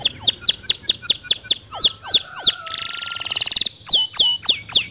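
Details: Singing canary, used to coax a reluctant canary into song: rapid repeated down-swept whistles, a slower pair of lower slurred notes, a dense rattling trill, then more swooping whistles.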